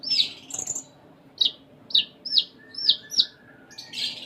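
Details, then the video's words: Konin giving a row of sharp, high down-slurred chirps about every half second, framed by buzzy chattering notes. "Konin Gacor Full Isian"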